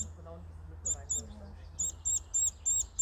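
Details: Baby bird loudly begging for food: sharp, very high chirps with fainter lower overtones, coming in quick bursts of about three per second and growing steadier toward the end, over a low constant hum.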